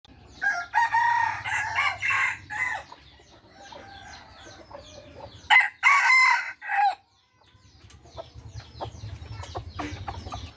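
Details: Third-generation (F3) red junglefowl crowing: a loud, harsh multi-part crow early on and another short crow near the end, with small birds chirping and a low steady hum in the background.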